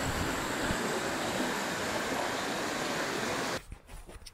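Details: Loud rushing noise, like wind or water, that cuts off abruptly to quieter, uneven background sound, with no animal calls.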